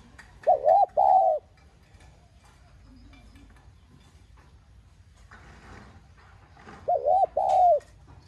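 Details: Spotted dove giving an urging call in the 'giọng son' voice style, used to stir decoy doves into cooing: two mellow hooted phrases, each a quick double note then a longer falling coo, about six seconds apart over faint background hum.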